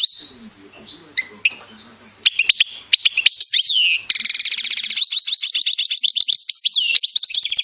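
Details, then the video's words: Goldfinch singing: after a quiet start with faint low murmurs, a rapid run of high twittering notes and sweeping whistles, then a dense, buzzy stretch of fast repeated trills, unbroken to the end. "Goldfinch Singing"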